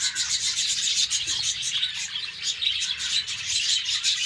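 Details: Pet budgerigars in their cage in the morning keep up an unbroken stream of buzzy, grating chatter punctuated by sharp high chirps, many birds overlapping.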